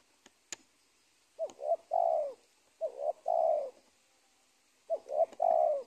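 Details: After a couple of sharp clicks, a wild spotted dove from an old cornfield beside a teak plantation coos three times, each phrase a quick double note leading into a long, mellow, downward-sliding coo.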